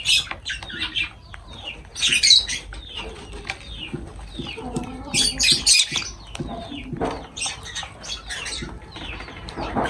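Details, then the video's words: Lovebirds at feeding time giving sharp, high, shrill chirps in quick irregular bursts, with several louder clustered squeaks and broad rustling, flapping noises between calls. "Love birds voice sound"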